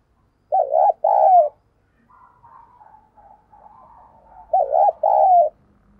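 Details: Lure spotted dove calling to attract wild doves; two loud low double-noted coos, each pair about half a second apart, separated by a few seconds of softer murmuring notes.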